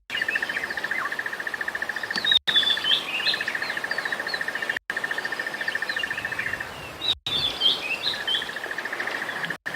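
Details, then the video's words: Crested barbet at sunrise on safari, 22 December 2021, giving the constant call it can keep up for five minutes without a break: a long, rapid, even trill held on one pitch, briefly cut off, with other birds chirping higher above. "The most constant one, that constant little call that you're hearing, is actually a crested barbet."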